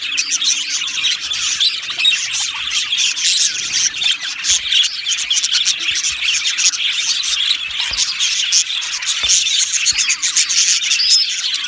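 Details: Dense chorus from an aviary colony of budgerigars, Australian parrots, a constant high twittering and chirping mass with rapid scratchy warbles, sustained throughout without pause.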